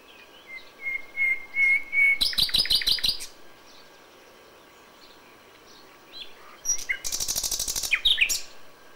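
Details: Common Nightingale singing at dawn in May: a slow run of pure whistled notes swelling in volume, then a fast, dry rattling trill; after a pause, another burst of rapid clicking notes.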